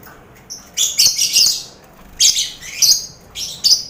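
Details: Lovebirds in a busy colony cage shared with finches and quail, kept for mental training of contest birds; harsh, buzzy chattering bursts come in four separated groups with quiet gaps between.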